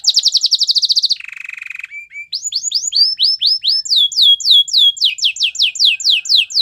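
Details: Loud rapid trill from a canary, then a lower buzzy rattle, a few short notes, and a long sequence of swooping whistled notes that rise and fall, several each second.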